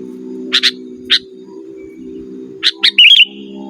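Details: Sooty-headed bulbul singing energetically, used to lure wild birds and tutor caged ones: a few crisp paired chips, then a rapid bubbling whistled flourish, with a steady low mechanical hum throughout.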